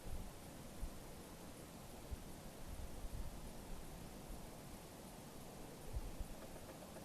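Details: Quiet outdoor hiss and low wind rumble in the mountains, with occasional soft thumps and no animal call.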